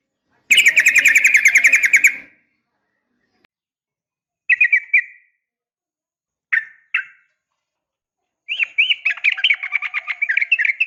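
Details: A female Yellow-vented Bulbul calls to lure a male. It opens with a long fast trill, then brief pairs of whistled notes with long silences between them, and ends with a quick chattering warble.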